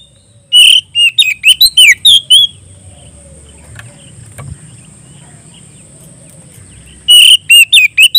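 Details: Calling out to a rival, an Oriental magpie-robin sings in loud ngeplong style, giving a rapid burst of sharp, varied whistles and chattery notes, then a long quiet gap with low background hum, then another quick burst.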